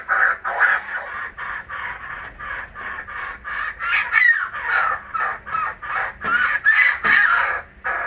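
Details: Kookaburras back at a home, recorded with GoPro Hero 3D and Fujifilm W3 cameras, deliver a strongly rhythmic laughing sequence of harsh pulsed notes, over two per second, climbing into shrill rising hoots near the end.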